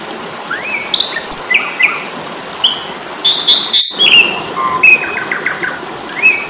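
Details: Asian pied starling fighting song meant to train songbirds: a jumble of rising whistles, buzzy notes and high chips, with a brief break near the middle, over steady hiss.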